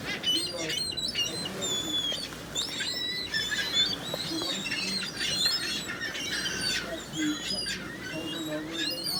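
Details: A crowd of gulls calls steadily: many short, sharp, nasal cries and yelps overlap without pause, some rising or falling quickly, over a low background hum.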